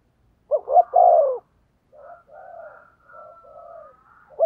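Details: Spotted dove lure bird cooing: one loud phrase of two quick notes and a long falling coo, followed by softer, distant-sounding coos and a faint thin whistle.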